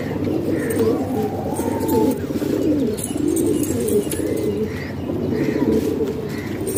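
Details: Domestic pigeons in a house in Pakistan keep up low, rolling coos, with a higher chirping bird calling every second or so above the flock.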